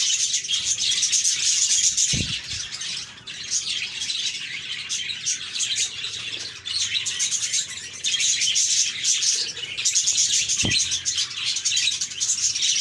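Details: Flock of happy budgies chirping steadily: unbroken high-pitched chatter and warbling, with two sharp knocks, one early and one late.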